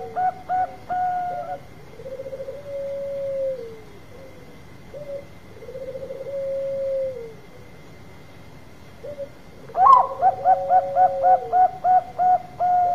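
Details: Bangkok-type zebra dove lure song: bursts of short, evenly spaced mid-pitched coos alternate with long, level, purring trilled notes that sag at the end, repeated across several phrases; a steady faint electrical hum underneath.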